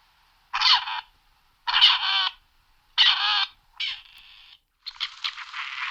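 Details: Grey partridge giving five harsh, grating, rasping notes, each about half a second long and repeated roughly every 1.2 seconds. The last two are buzzier and more ragged, heard over a quiet background.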